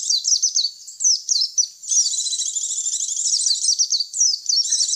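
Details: White-eye lure call for drawing in white-eyes: spaced pairs of quick high chirps, then a long run of dense, fast twittering followed by more separate chirps; crisp with no other noise.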